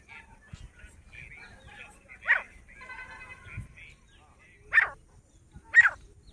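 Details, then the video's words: Grey francolin giving harsh, loud bursts, three sharp notes spaced about one to two and a half seconds apart, over soft human voices talking in the first half. "Teetar sound 4K Teetar Voice"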